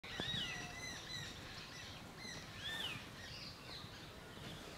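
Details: White-bellied drongo (Dicrurus c. caerulescens) in Ranthambore National Park, India, November 2023, giving short arched whistles and squeaky chirps at irregular intervals, some notes sliding up then down, over a steady hiss of outdoor background noise.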